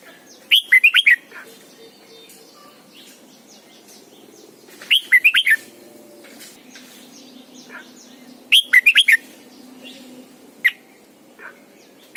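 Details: Morning song of a caged red-whiskered bulbul used as a decoy, trained toward the double-note wild style: three short phrases of four or five fast whistled notes, repeated every three to four seconds, with scattered soft chirps and low hum.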